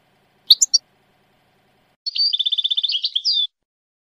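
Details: A goldfinch sings: a few sharp high notes, then a fast, even buzzy trill of rapidly repeated chirps lasting over a second, ending in a slurred note.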